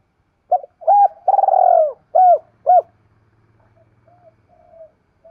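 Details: Decoy spotted dove urging and challenging wild doves to come in and fight: loud, clear, hollow coos in a quick burst, one long drawn note among short ones, then fainter, softer coos follow in a quiet setting.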